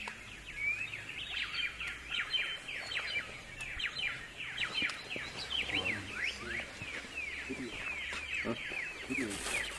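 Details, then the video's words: Bar-winged prinia singing in the wild with an insistent voice: a long, dense run of quick, sharp chirping notes repeated without pause, over faint background noise. "Burung Samyong Gacor Bernyanyi Di Alam Suara ngotot pedesse"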